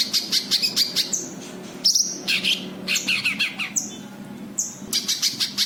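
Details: White-eye calls used to lure other birds: rapid bursts of thin, very high chirps and short trills, broken by brief sharp whistled notes, repeated through the clip over a soft low background hum.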